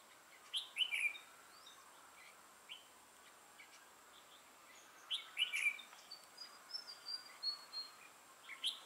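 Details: Red-whiskered bulbul decoy for bird trapping, 'mào lân' crest, dark bib, 6 November 2018. Two clear bursts of slurred whistles a few seconds apart, followed by thin, high, fading notes against light background noise.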